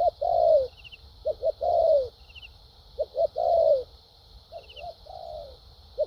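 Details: A spotted dove, described as a good-voiced kept bird, gives low coos in thúc gù and lèo dặm style: paired short hoots and long descending coos, with soft high ticking in the background.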